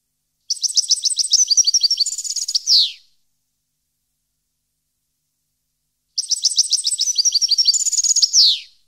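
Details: European goldfinch singing in 2015, two separate phrases of fast, high liquid twitters, each about two and a half seconds long and closing with a buzzy downward slur, with a pause of several seconds between them.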